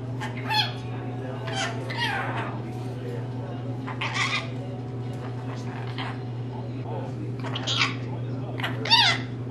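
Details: Pet rainbow lorikeet, a female, chattering mimicked phrases in uneven groups of hoarse, speech-like syllables, ending with a higher squeaky note, over a low continuous hum.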